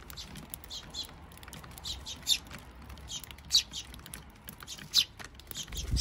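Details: Adult and young Eurasian tree sparrows eating at a bird feeder, June 2023, unaccompanied by music or narration: dense run of sharp high tweets, several birds overlapping, a few louder single chirps standing out.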